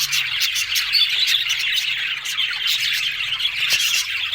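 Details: A group of budgies keeps up nonstop high twittering and squawky chatter, overlapping voices forming an unbroken wash of sound with brief sharper clicks.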